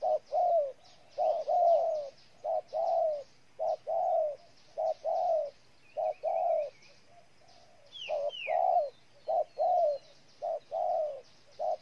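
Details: Cooing of a spotted dove in Ninh Thuận, Vietnam: a steady string of short and longer mellow coos, roughly fifty a minute, alternating in pairs, over a faint hiss of insects and one brief sharp bird call.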